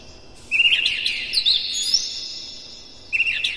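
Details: Oriental magpie-robin (kacer), morning song used as a master lure to stimulate captive birds into singing and tail-opening: high, rich twittering phrase with trills and slurred whistles, a pause, then a new burst of chattering notes.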